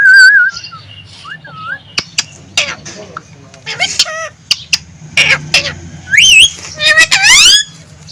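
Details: Talking green ring-necked parakeet mixing wavering whistled notes and speech-like harmonic phrases with sharp clicks, ending in loud rising squeaky syllables; the bird is a pet.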